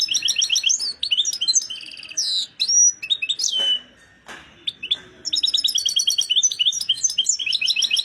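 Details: European goldfinch in an excited state pours out rapid liquid twittering, interspersed with a drawn-out descending whistle and a short gap, then resumes dense bright chattering trills.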